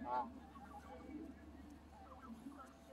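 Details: Canada geese gathered all around the recordist at close range; one loud, brief nasal honk opens the clip, followed by soft, low murmuring calls from the flock over a steady low rumble.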